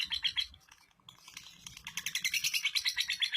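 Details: Female lovebird from East Lampung, Indonesia, kept in a collection, singing in the long-duration 'durasi' style: bursts of rapid high chattering chirps, a short break near one second, then a steady fast chattering run to the end.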